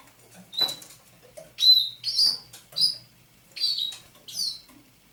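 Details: At dawn on 27 November 2021, a caged thrush nightingale caught near Saint Petersburg in May 2019 gives separate sharp, high notes about half a second apart, each a quick piping chirp with quiet gaps between.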